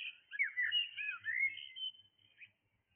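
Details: Early-morning blackbird song: a continuous rich warble of looping, whistled notes lasting about two seconds, then fading, with a soft low hum underneath.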